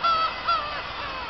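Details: Black-tailed gulls at Kabushima after fireworks, 2 August 2012: two drawn-out, level, nasal mewing calls in quick succession over a steady hiss of distant gull chatter.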